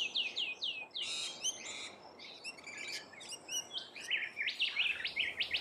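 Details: Several rainbow lorikeets feeding in Australia, producing rapid descending squeaks, harsh buzzy bursts and overlapping shrill chatter.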